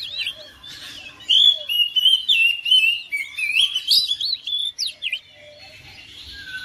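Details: Domestic oriental magpie-robin answering another bird: after a quiet start, a burst of loud rapid whistles and trills rising and falling, ending in softer scattered notes.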